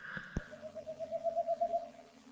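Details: Boreal Owl close by at night during a March 11 owl survey gives a fast, even run of mellow hoots that swell slightly over about a second and a half. A brief knock and faint murmur come just before. Possibly two owls, with a softer accompanying sound.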